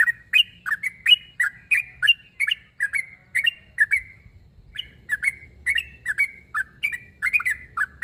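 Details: Sooty-headed bulbul calling a rival, meant to draw replies from other bulbuls: near-continuous bubbly chirps, each dipping then flattening into a short whistle, with a brief break midway.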